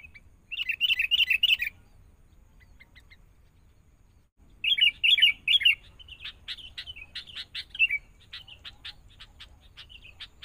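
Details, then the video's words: Sooty-headed bulbul, a young forest-caught bird being trained with a lure bird. Two fast, bubbling chatter bursts are followed by a long run of varied chirps and sharp repeated chips. "Proses.. Melatih Kutilang Mudah Hutan.."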